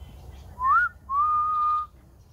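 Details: Grey diamond dove giving a clear whistled call: a short rising note, then a long steady tone at the same pitch, held close to a second, over a quiet background.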